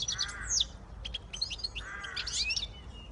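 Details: Siskin x goldfinch hybrid song with fast, bright twitters and sliding whistled notes, two drawn-out nasal wheezes at the start and near the middle, low hum underneath.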